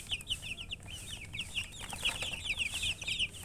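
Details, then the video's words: A short burst of baby chicks chirping, with sharp, high, quickly repeated peeps that grow louder and denser toward the end. "Baby "Chicks Chirping" Sound"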